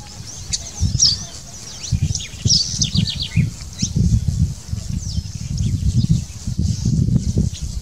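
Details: Saffron finch in the wild in its natural habitat, giving quick high chirps and short sweeping notes scattered across the clip, over heavy low rumbling and rustling noise.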